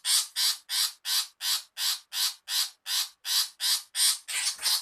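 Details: Lure recording of a female long-tailed shrike: a steady series of twelve loud, grating, scratchy screams, evenly spaced about every third of a second, with no other sounds.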